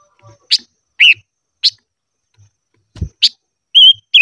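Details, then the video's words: Voice-training song of a silver-eared mesia: scattered sharp chirps and a wavering whistled note near the end, with a dull thump partway through. "Chim ngũ sắc hót hay luyện giọng - ngũ sắc hót ché"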